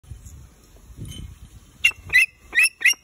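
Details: A captive bat hawk (Macheiramphus alcinus) giving four harsh, high squealing notes in about a second, after a faint low rumble of background noise.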